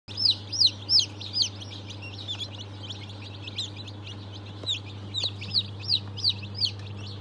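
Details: Newly hatched chicks of Brahma, Fizan, Australorp and Legbar breeds, hatched 3 March 2023: high, sharp downslurred peeps in quick bursts of three or four, then quieter scattered peeps, over a steady low machine hum.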